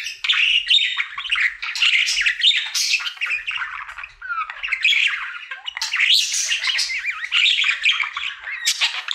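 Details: Male pet budgerigar singing indoors as part of a daily routine, an unbroken run of harsh chatter, squeaks and wavering whistled trills, loud throughout with only a short dip near the middle.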